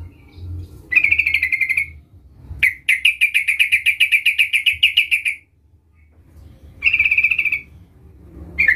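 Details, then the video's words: Sooty-headed bulbul (trucukan) in full voice calling a rival, used as a lure: a one-second trill, then a long rattling trill lasting nearly three seconds, then a shorter one. "Suara Panggilan trucukan gacor Memanggil Lawan"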